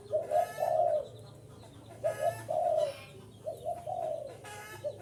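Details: A spotted dove calls to entice wild birds closer. Rounded, breathy coo phrases repeat about every one and a half seconds, each a quick double note followed by a longer one, with faint chirps from small birds behind.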